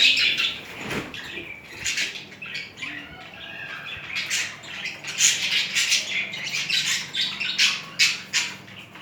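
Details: A pair of budgerigars, mating and showing affectionate behaviour toward each other, chatter in rapid, scratchy, high-pitched bursts that come and go in irregular waves over about nine seconds.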